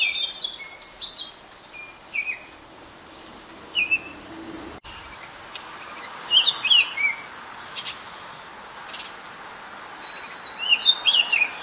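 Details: Adult and juvenile Baltimore orioles singing: short clear whistled phrases and slurred notes, some rising and falling, given in scattered bursts over quiet background noise.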